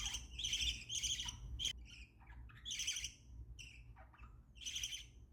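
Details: Pet budgerigars making happy sounds, a run of high, scratchy chirps and warbled squawks in bursts about every second, with short gaps between, over a faint low hum.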